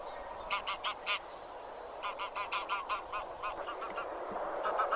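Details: Grey or white geese of the genus Anser honking in uneven runs of short nasal notes, with softer calls trailing off over a constant hiss.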